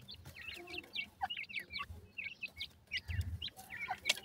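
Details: Francolin chicks, pet birds in the summer rearing season, peep almost without pause. They give short, high, clipped notes, some upslurred and some downslurred, several to the second, with a low rumble beneath.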